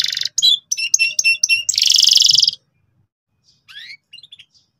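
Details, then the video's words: Loud canary singing in the ngeriwik style for young canaries to copy. Choppy bursts of sharp notes and a brief buzzy roll come first, then near silence with a few faint twittering notes. "suara kenari gacor ngotot keras biar kenari paud cepat belajar bunyi ngeriwik"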